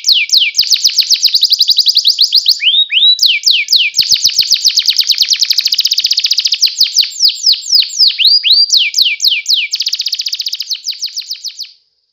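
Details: The singing canary pours out long, fast trills of high chirping notes, broken by a few slower descending whistles, before the song stops abruptly.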